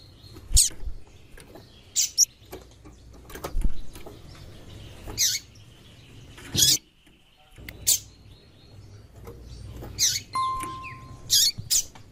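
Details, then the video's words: Over twelve seconds a female double-collared seedeater keeps up sharp, high chips every one to two seconds, some doubled, a call to excite the male; a faint steady whistle tone and low hum sit beneath. "Piado de Fêmea de Coleiro e chamando muito - esquente seu coleiro"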